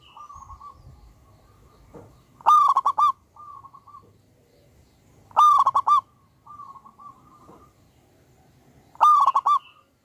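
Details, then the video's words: Local wild-type zebra dove singing loudly and persistently: three strong bubbling coo phrases, each a quick run of rolling notes, about every three seconds, with softer, fainter coos from other doves between them. "Pancingan burung perkutut Lokal Alam super Gacor suara Besar"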